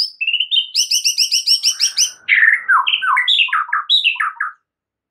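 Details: White-rumped shama song used to train and excite other shamas: a rapid rattling string of paired high notes, followed by rich, varied, downward-slurred whistles in quick succession, ending abruptly.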